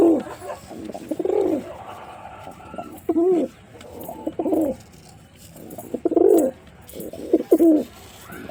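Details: White pigeon, a male, giving a run of deep, throaty coos in short bursts about every one to two seconds, some rolling and wavering, with steady low background hiss indoors.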